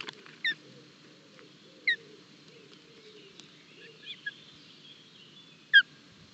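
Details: Osprey chicks during an early breakfast at their Barlinek forest nest, 25 June 2022, live nest camera: sharp, high, falling whistled chirps at irregular intervals of one to four seconds, otherwise quiet with faint hum.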